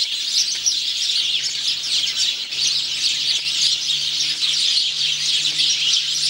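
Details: A singing male house sparrow, recorded on 17 November 2009, gives a steady stream of bright, high chirps, overlapping into a busy chatter, with a faint low hum beneath.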